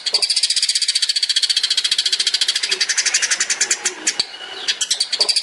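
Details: Long-tailed shrike singing for a master recording that tutors songbirds: a sustained, very fast, high-pitched buzzy rattle with pulsing notes, briefly interrupted near the end before resuming.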